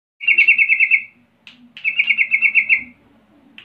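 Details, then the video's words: Sooty-headed bulbul singing the 'rol' style lure song meant to taunt rivals into answering: two rolling, rapidly pulsed trilled phrases about a second each, separated by short buzzy notes, with a faint low hum beneath. "pancingan trucukan Rol mengejek Lawan bikin trucukan lain seketika langsung Nyaut Buka suara"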